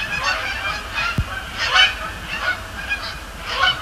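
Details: Canada geese at night on Sapsucker Woods Pond, Cornell Lab of Ornithology, in late October, flying over and splashing down; repeated harsh, nasal honks, several birds overlapping in rough bursts roughly every half second, with a faint low hum beneath.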